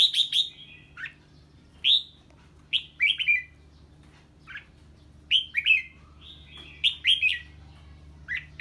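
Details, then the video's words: Red-whiskered bulbul singing hard on hearing an unfamiliar bird: bright whistled phrases of quick descending notes, given in bursts with short pauses, over a faint low hum. "Chào Mào Hót Ché Khi Nghe Tiếng Chim Lạ"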